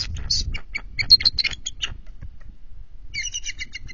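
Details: At an NCTC bald eagle nest shortly after midnight on 21 February 2023, a female landing for a switch startles her mate; loud rapid squealing chatter, a pause, then a softer high piping series.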